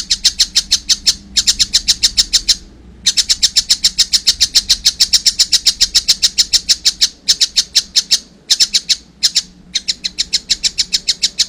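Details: Fledgling collared kingfisher calls persistently, long strings of harsh high notes at roughly three and a half per second, interrupted by several brief pauses.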